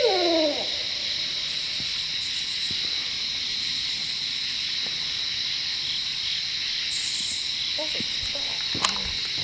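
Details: At night in Maryland, after rain, Barred Owls call back and forth to each other; one gives a brief, wavering, downward-sliding hoot, then falls silent under a steady, high drone of insects.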